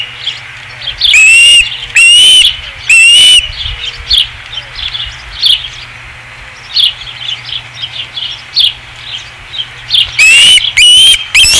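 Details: Osprey calling at a ranch nest on 5 August 2016: a burst of three loud whistled notes, then a stretch of softer scattered chirps, ending with another quick run of shrill whistles.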